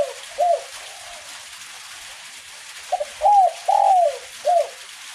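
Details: Spotted dove, kuk 1 style, singing in gentle rain: a trailing coo at the start, then after a quiet spell a full phrase of a double opener, two rounded coos and a short final note, over soft rain noise.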